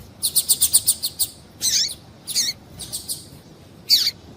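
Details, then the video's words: Female double-collared seedeater calling to stimulate males. It opens with a quick run of about eight high, evenly spaced ticking notes. Four scattered, sharper chirps with downward sweeps follow, all against a quiet background. "Piado de Fêmea de Papa capim Para Esquentar Papacapim"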